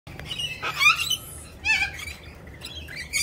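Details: A group of friendly Rainbow Lorikeets perched on a person's arm, giving short harsh chattering squawks in three bursts, each with layered shrill notes.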